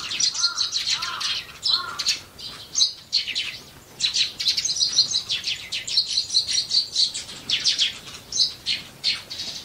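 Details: A group of wild Eurasian tree sparrows near people's homes chatters continuously with dense, overlapping chirps and twitters. A few lower whistled notes come near the start.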